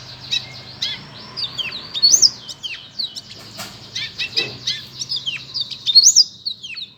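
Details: Black-throated canary singing a busy run of high, sweeping whistles and sharp chirps with rapid up-and-down slurs, steady faint low hum underneath.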